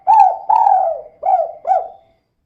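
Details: Spotted dove female calling in the kuk-2 pattern, used to lure other birds into song: two long mellow falling coos, then two short hooked notes, clear and close.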